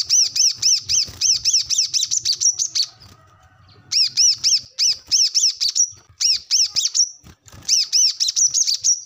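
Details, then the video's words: Brown-throated sunbird in full 'gacor ngobra' chattering song, a recording made for training captive birds: fast bursts of high, thin, sharply bent chirps, each burst about three seconds, separated by brief pauses with faint low hum. "kolibri kelapa | manggar | wiceh | korlap ngobra gacor"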